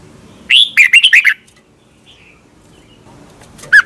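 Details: Thai red-whiskered bulbul in a song recording for caged birds to learn from. It gives one fast, chirpy warbled phrase of five or six notes lasting under a second, then a pause, then a single short whistled note.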